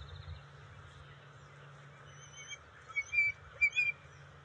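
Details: Bald eagles at the nest on June 27, 2021, as the female brings fish to the eaglets. A few faint high notes give way to sharp, squeaky whistled chirps in a quick uneven series near the end, over low background hum.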